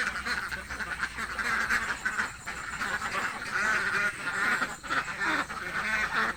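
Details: A flock of hungry ducks in a village, loud raspy quacks overlapping in a busy, unbroken racket that swells and dips slightly.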